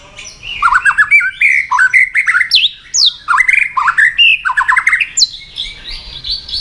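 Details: White-rumped shama, caged, being stimulated to fight-sing, tail flicking: loud varied song of rapid descending whistled slurs and sharp upward sweeps in repeated bursts, with short pauses between phrases.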